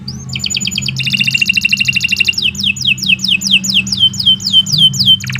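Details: Canary singing fast, long phrases for tutoring other birds: a rising whistle, then a rapid buzzy trill, then a steady run of down-slurred notes repeated about twice a second, over a low hum.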